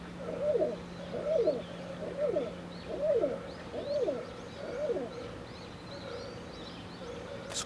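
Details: A Hill Pigeon, one of about ten nesting under the eaves of Hwaeomsa temple, gives courtship coos heard briefly before leaving to feed: low, throaty, in quick rolling pairs, about one a second, over a steady low hum.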